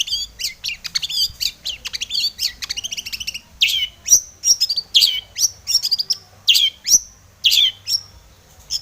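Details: Rich, rapid long-tailed shrike song packed with varied chattering notes at first, then slower loud sweeping whistled phrases repeated roughly every half second.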